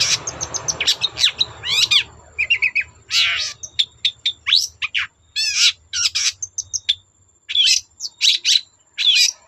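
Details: Long-tailed shrike singing loudly to goad other shrikes into song. Bursts of high chirps, rasping notes and short whistles come in uneven clusters, with low rumbling noise early on.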